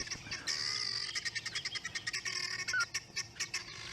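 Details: Guineafowl give harsh, rapid, rattling alarm calls in a noisy chorus in the morning in a drainage line at Djuma, South Africa, upset by nearby leopards.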